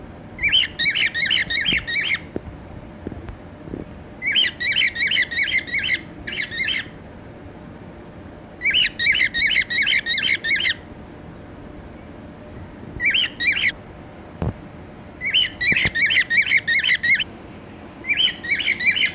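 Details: A pet cockatiel gives bursts of harsh, rapid squawking calls, each lasting about a second or two.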